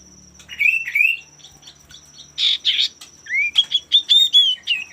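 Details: Song of a male common iora, used as a lure to draw rivals into song: short rising whistles, a burst of harsh buzzy notes, then a series of clear upslurred whistles repeated quickly, with a faint steady high tone behind.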